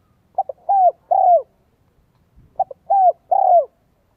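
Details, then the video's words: Decoy spotted dove with a 'giọng son, 1 cốt lỡ' style coo for luring wild birds: two phrases, each two quick soft pips then two fuller coos that slide downward, separated by a short silence. "CHIM CU GÁY GIỌNG SON 1 CỐT LỠ KÍCH BỔI NHANH NỔI HIỆU QUẢ NHẤT"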